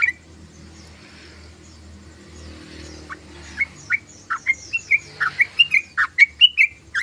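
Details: Trucukan, or sooty-headed bulbul, chattering: near silence with low rumble for three seconds, then a quickening series of bright, sharp chirps and short slurred notes, growing louder toward the end.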